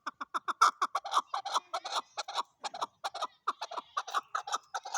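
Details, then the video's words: Chukar partridge giving a rapid series of harsh, clucking chuck notes, each short burst repeated several times a second in an uneven, chattering rhythm, with no other clear sounds. "chakor ki awaz zark awaz chakor sound chakor voice chakor birds"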